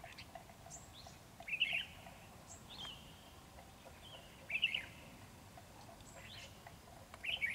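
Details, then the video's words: Red-whiskered bulbul of the 'Ché' type at a trap beside a decoy bird, singing intensely: short bright warbled phrases rising and falling, given every few seconds over steady low background noise. "Bẫy chào mào Ché căng xòe áp đảo mồi"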